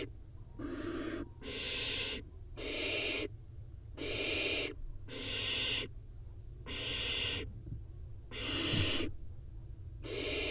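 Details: Inside a barn owl nest box four nestlings compete for food after a prey drop; a steady series of eight harsh hissing bursts, each under a second, with a faint knock near the end.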